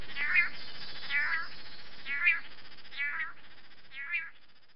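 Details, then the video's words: Long-tailed manakin in Costa Rican rainforest, filmed for its courtship dance, gives nasal, mewing calls about once a second, five in a row, over steady background hiss. "Long Tailed Manakin Bird Courtship Dance"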